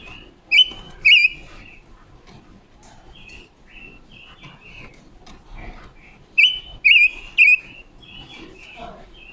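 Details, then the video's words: Red-billed leiothrix, a female decoy bird, sings clear whistled phrases in two loud clusters separated by softer scattered chirping notes. "ngũ sắc mồi luyện giọng hót của chim già rừng ngũ sắc mái mồi"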